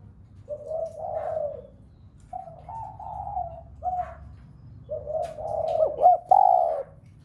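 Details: Cu gáy, the spotted dove, calling to trigger other doves to coo; mellow, low hooted coos in separated phrases, some ending with quick up-and-down flicks, over faint background hum.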